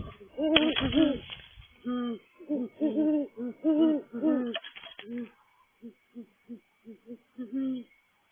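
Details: A mature female great horned owl sitting on her nest at night gives a fairly high, mellow hooting series: longer hoots in a quick run, then shorter hoots about half a second apart. Her hoot is higher pitched than the male's.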